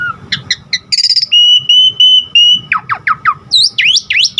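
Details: Asian pied starling song for training caged birds, with quick chirps, a long steady whistle, a run of descending slurred notes and rising squeaky calls.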